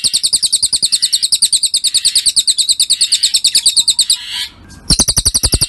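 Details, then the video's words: Cililin bird song from a masteran training recording: a rapid run of bright, high chirps, very even in pace, with a ticking undertone. It pauses briefly after four seconds, then restarts. "Masteran Burung Cililin"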